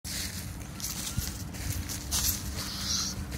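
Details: An injured, grounded rainbow lorikeet (Trichoglossus moluccanus), likely fallen from a tree at night, gives a few harsh, rasping squawks in short bursts as a curious Belgian Shepherd approaches on a walk, over low rumble, wind and footsteps.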